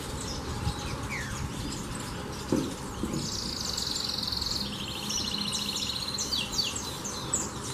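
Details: A canary sings with a few scattered chirps, then two long, fast, even trills of high repeated notes, the second slightly lower, ending in twittering phrases; a soft thump and steady low hum sit underneath.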